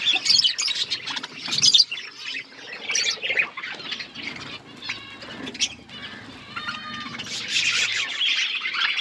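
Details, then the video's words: Budgies feeding, their chirping a dense, scratchy warble of overlapping chatter with sharp clicks and squawks, swelling and fading in bursts, busiest near the start and end. "Budgies eating food | Birds eating food | Birds chirping sounds"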